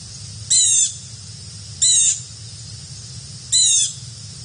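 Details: Carolina wren, one of a pair of visitors, repeating a rasping, buzzy call three times at intervals of about one and a half seconds, each note short and grating over a faint low hum.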